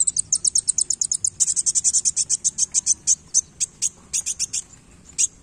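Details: Indonesian kolibri wulung, a sunbird, singing actively while flicking its tail: a fast series of sharp, very high chirps that run almost evenly for five seconds, then slow into spaced notes over a quiet background.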